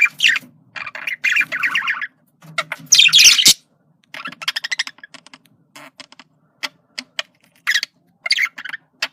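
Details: Male budgerigar communicating with a buzzy warble, a loud harsh squawk burst, then a long series of rapid dry clicks and short chirps.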